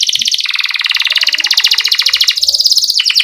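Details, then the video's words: Canary in lively song used to get young canaries singing: one dense, buzzy rolling trill held throughout, rising slightly in pitch toward the end. "Criit CUIT Cuit Kenari GACOR Ngerol Jeda Buat PANCINGAN Kenari PAUD Supaya Cepat BUNYI GACOR"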